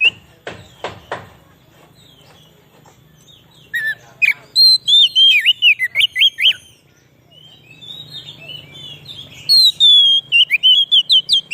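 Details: Kacer, or Oriental magpie-robin, whose song serves as a lure for wild birds: a few low knocks open, then rapid phrases of loud, swooping whistles separated by a quieter stretch with faint background rustle.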